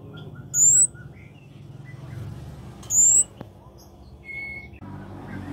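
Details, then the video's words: Actively singing Scarlet-backed flowerpecker, locally kemade or cabe cabean: two high, thin, rising notes about two and a half seconds apart, with brief softer whistles from other birds, a click and low hum. "Burung cabe cabean(kemade) Gacor"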